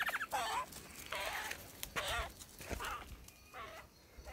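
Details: A male lyrebird in the Dandenongs runs through his repertoire for a female: an abrupt varied sequence of loud, rich bursts and chattering phrases separated by short gaps, changing character from one sound to the next.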